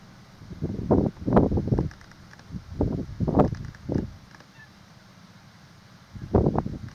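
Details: Great crested grebe (Podiceps cristatus), 26 March 2023, giving harsh, grating croaks in three rough bursts of several notes each, with quiet gaps between.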